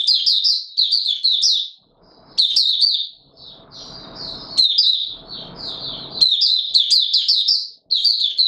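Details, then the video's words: White-eye, locally Mata Puteh Raja, sings in warm humid conditions on 20 March 2022, giving excited high twittering runs with thin slurred notes, broken by low rustling noise. "Mata Puteh Raja Video 1 buka sing"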